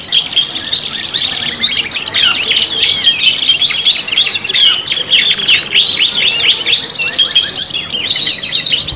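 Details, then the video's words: Canary song in a five-in-one mix of lure singing: dense high chirps and quick upslurred and downslurred whistles, overlapping without pause for nine seconds, with buzzy trills layered underneath. "PANCINGAN KENARI 5 IN 1 | CANARY SINGING"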